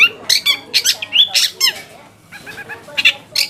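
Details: Long-tailed shrike song played as a lure to get other shrikes calling: a fast string of harsh, scratchy squawks and buzzy notes, a short quiet gap, then more rasping bursts.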